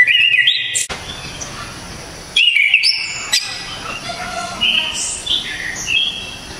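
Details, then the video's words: Anis kembang (orange-headed thrush) of Java, with loud, sharp song: a strong whistled phrase, a pause, a second loud phrase, then a run of softer, varied, scattered whistled notes. "ANIS KEMBANG‼️SANG Legenda TANAH JAWA ‼️TEMBAKAN KERAAS‼️DERRR DOR MANTAP JIWA‼️"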